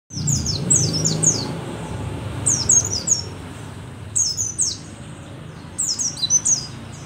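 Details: Mountain white-eye, an old bird singing vigorously, called rare and endemic to Merapi, gives four bursts of rapid, very high, descending chirps about every one and a half to two seconds over a low background hum.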